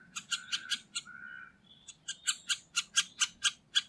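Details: Middle spotted woodpecker in Liepāja, Latvia, November 2023: harsh, buzzy notes. Four quick notes and a brief drawn-out sound come first, then about ten evenly spaced rasping calls roughly every fifth of a second.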